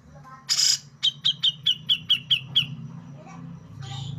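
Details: One loud, harsh rasp from a male Brown-cheeked Bulbul kept for contests, then about eight quick, sharp, downslurred notes in a steady run, ending with a faint rasp over a low background hum.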